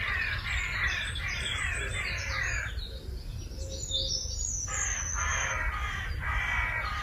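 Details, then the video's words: Crows calling noisily early on a spring morning, Sunday 4 April 2021, in Meopham: two long stretches of harsh, overlapping caws, the second after a short lull, over a steady low rumble of background noise. "Early Morning Noisy Crows in Meopham"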